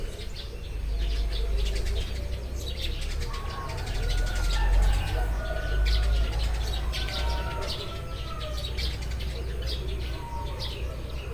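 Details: Several Eurasian tree sparrows chirping in the morning: many short, high chirps in quick, uneven succession, with some drawn-out whistled notes through the middle, over a steady low rumble of background noise.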